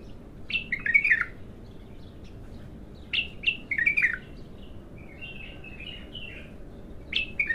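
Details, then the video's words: Bulbul, described as raw and singing for the first time, delivering short bursts of rich whistled, warbling notes that rise and fall, with phrases repeating about every two to three seconds over a soft low background hum. "تغريد الابتر خام اول فتحـه له"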